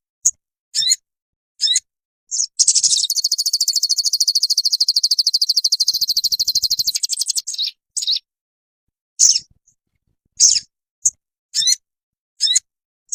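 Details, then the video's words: Ruby-cheeked sunbird (sogon) training song for caged birds. Scattered short, high chips, with a long buzzy high trill lasting about five seconds in the middle. "Dalam hitungan menit burung sogonmu ikutan gacor dan ngeleper"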